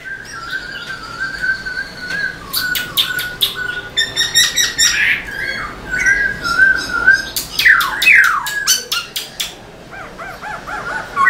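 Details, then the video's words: A caged black-throated laughingthrush dancing its tail as it sings. A held whistle breaks into harsh, rasping bursts and chatter, then sliding whistled phrases and quick, soft repeated notes. "Khướu bạc má HÓT MÚA ĐUÔI cực sung"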